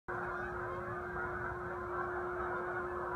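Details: Geese calling on the vernal equinox of 2015: a dense, continuous chorus of overlapping nasal honks from many birds, with a steady low hum running underneath throughout.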